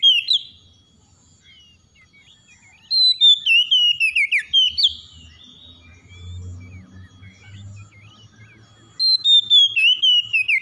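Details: Morning song of an oriental magpie-robin: two bursts of rapid, descending whistled notes with trills, separated by a pause of several seconds filled with soft low background hum.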